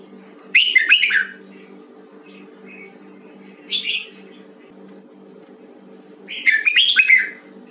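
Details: Red-whiskered bulbul of the Hue type in voice training: short bursts of rich, warbling whistled phrases near the start and end, with a brief clear note between, over a steady low hum.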